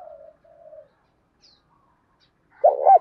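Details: Spotted dove giving a lure call in the prized field-bred voice, meant to provoke and draw in wild males. Two soft, low, level coo notes open, then silence, then a loud, throaty, wavering coo burst at the end.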